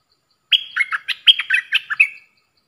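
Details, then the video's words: Stripe-throated bulbul lure sound for trapping, recorded 10 October 2021: a lively chattering phrase of about ten quick, bubbly, slurred notes running together for nearly two seconds against a silent background. "Suara pikat merbah lekir"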